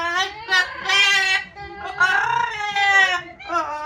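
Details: Yellow-naped amazon kept as a pet, sitting outdoors on a sunny day and drying off after a shower, giving loud drawn-out nasal squawks with rich overtones, several long wavering calls back to back.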